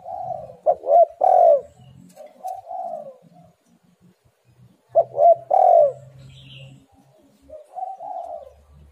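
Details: Spotted dove call played as a lure to prompt doves to sing: soft hooting phrases, each opening with quick clipped notes, then a longer rolling coo and a trailing softer note, repeated twice with a faint low hum.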